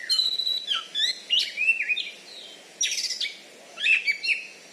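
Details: Loud-voiced champion Oriental magpie-robin kept in Bengkulu, Indonesia, known for a rival-defeating fighting style; drawn-out whistles, slurred phrases and brief harsh notes in three bursts.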